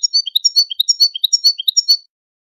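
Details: Goldfinch song: a two-second string of clipped, bouncy high notes that alternate between a lower and a higher pitch in quick succession.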